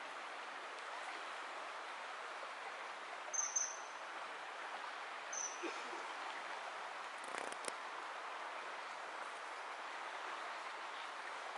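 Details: Common kingfisher at Špica, Ljubljana, Slovenia, on 17 September 2022, giving two thin, very high, short piercing whistles a couple of seconds apart over a steady rushing background of water or distant traffic.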